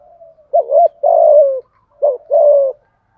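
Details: Spotted dove thúc gù call, giọng thổ voice, meant to stimulate a decoy bird: a faint soft note, then two low phrases, each a brief wavering coo followed by a sustained falling tone.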